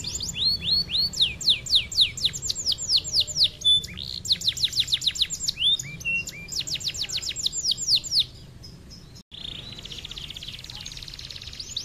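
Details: A captive canary sings a fast, continuous run of bright, rolling trills and rapid descending sweeps, ending in a buzzy sustained trill, used as a master song for training other songbirds.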